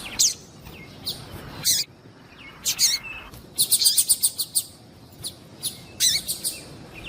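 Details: Female Double-collared Seedeater, a calling female, used to excite and warm up the male; sharp high chirps in scattered short bursts, with one fast rattling series of clipped notes in the middle.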